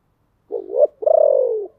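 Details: Decoy spotted dove calling to attract wild birds: a short rising coo followed by a longer, slightly falling drawn-out coo, deep and throaty, with silence before and after.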